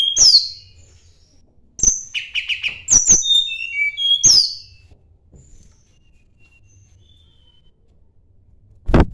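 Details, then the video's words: Sunda blue robin looking for a rival, singing bursts of high slurred whistles mixed with rapid clicks and a buzzy rattle over four seconds, then near silence until a final sharp click. "kicau tledekan gunung mencari lawan"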